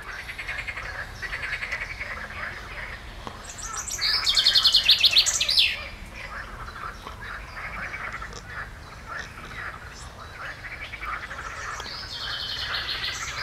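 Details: On 15 June 2020 a Common Chaffinch sings a bright, tumbling phrase over a steady, croaking chorus of frogs.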